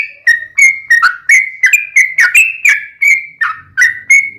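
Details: Yellow-vented bulbul in vigorous long rapid-fire song, known locally as ropel panjang, used as a lure to make other bulbuls sing back; short bright whistled notes around mid pitch, each dipping or rising, fired in quick succession.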